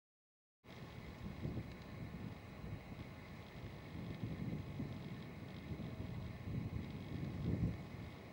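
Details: Silence opens into continuous low wind rumble on the microphone, with no animal calls.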